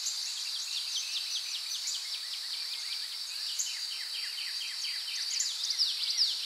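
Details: Young Eurasian wrens shortly after fledging, being fed dragonflies by their parents, give thin, high ticking calls, two or three a second, each dropping quickly in pitch, over a steady high insect-like hiss.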